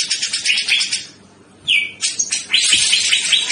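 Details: Male grey-cheeked bulbul (cucak jenggot) in lively song: shrill rapid chatter, a short lull, then a pure clear whistled note followed by dense, excited high-pitched warbling phrases running to the end.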